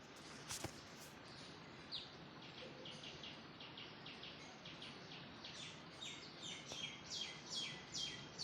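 Several birds chirp in quick, high, repeated notes, some short whistled phrases, over a steady background hiss.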